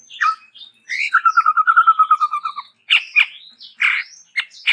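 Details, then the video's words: Varied chattering song of a Chestnut-rumped babbler, described as endemic to Sumatra: a short note, then a long, rapid, slightly descending trill of even notes, ending in harsh, broken calls. "TEPUS TUNGGIR MERAH GACOR VARIASI"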